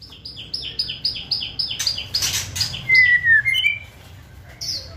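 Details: White-rumped shama in full, fierce song meant to provoke and quicken singing: a run of about ten quick repeated downslurred chips, a burst of harsh noise, then a long clear whistle falling slightly and short rising notes.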